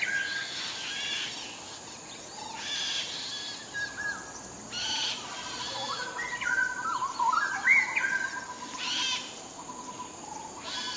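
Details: Wild straw-headed bulbul singing in Singapore: a short, rich, gurgling warbled phrase rising and falling midway through, set against a loud, pulsing drone of insects that swells and fades in waves.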